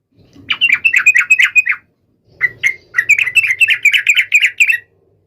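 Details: Yellow-vented bulbul in full voice, calling a rival to provoke an immediate reply: two bursts of fast, bubbly chattering notes, about eight per burst, separated by a brief pause, over a faint low hum.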